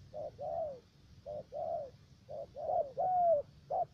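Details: Decoy spotted dove, a three-note bird used in trapping at U Minh, Ca Mau, Vietnam. Soft paired coos of a short note and a longer arched note repeat quickly, with one clear whistled coo near the end.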